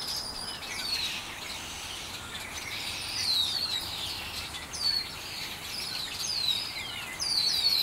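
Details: Backyard birds chirping for hours: scattered high, quick descending twitters and chirps from several birds over a constant hiss of background noise.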